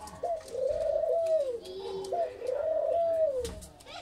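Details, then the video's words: Australian dove on a farm in Feni: two long, smooth, mellow cooing phrases, each rising slightly then gently falling, about a second and a half each, with faint clicks and room sounds indoors. "অস্ট্রেলিয়ান ঘুঘু খামার ফেনী (Australian dove)"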